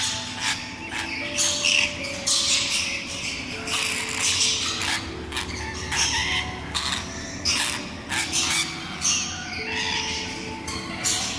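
Rainbow lorikeets screech in harsh, shrill bursts, several birds calling over one another, while soft sustained music plays underneath.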